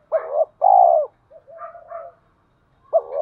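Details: Decoy spotted dove in 'giọng thổ' voice, cooing to provoke wild males into coming to fight. A rough two-part coo, a long sagging note, then softer wavering murmurs before another phrase starts.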